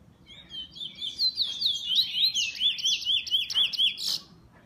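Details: Captive bullfinch delivering a rapid run of high, looping whistled notes, each a quick up-down slur, about a dozen in a row with a sharp buzzy note at the end.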